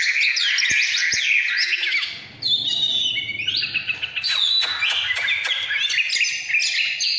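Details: Oriental magpie-robin, 2017, singing căn lửa: bright rising whistles and fast buzzy notes, with a brief low hum under a pause before loud whistled phrases resume.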